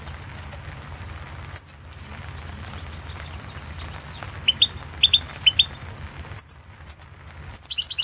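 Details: European goldfinch of the Balkan form, recorded for the 2016 online World Championship in Goldfinch Song: sparse bright chirps and short rising notes, then a quick burst of high twittering near the end over a low steady hum.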